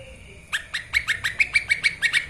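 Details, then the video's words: Lesser green leafbird, known locally as cucak ijo mini, song used as a master recording for training birds: after a faint steady tone, a quick series of about ten sharp, bright chirps, each dropping then flicking upward, roughly five per second. "CUCAK IJOMINI masteran gacor"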